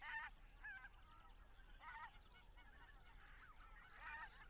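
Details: Migrating greater white-fronted geese calling in flight over Estonia, on spring passage north to Arctic breeding grounds, recorded on a Zoom F6 with Sennheiser MKH 8040; separate bursts of high, squeaky, laughing yelps at irregular intervals, with softer calls between.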